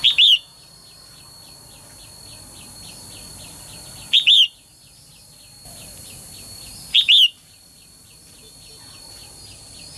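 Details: Female bird giving calls meant to make males sing briskly; three strong double chirps roughly three to four seconds apart, backed by rapid soft repeated chirps and a constant thin high whine.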